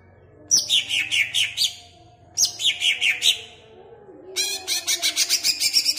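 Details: Greater green leafbird kept in a cage in Pemalang, singing to stir up rival caged birds: two descending phrases of sharp, bright notes, then a faster, steady trill of rapid chattering chirps.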